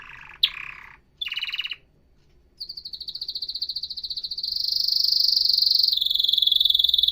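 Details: Canary song with short buzzy rolls, a pause, then a rattling trill that grows louder and higher into a dense, steady ringing trill.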